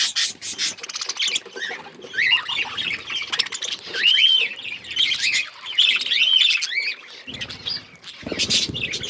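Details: Several budgerigars in an outdoor aviary set in a forest environment, eating seeds: dense overlapping chirps, squawks and warbled chatter, many rapid up-and-down notes, continuous through the recording, with a few louder broadband clicks near the end.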